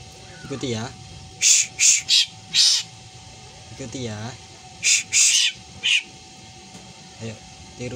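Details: Black drongo mimicking a cat's meow: two low, wavering meow-like calls alternate with clusters of loud, harsh, scratchy screeches in short runs.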